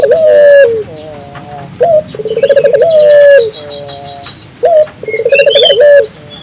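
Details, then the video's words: African collared dove in vigorous voice, used to rouse local doves: long sliding coos, sharp rising notes and rapid rolling trills in steady cycles, with high twittering of small birds in the background. "suara burung puter gacor,merangsang burung puter lokal ikut gacor"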